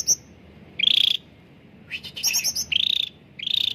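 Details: Cucak ranting (bulbul) song for prompting hesitant caged birds: a short high note, a buzzy trill, then rapid high fluttering twitters running into two more rolling trills.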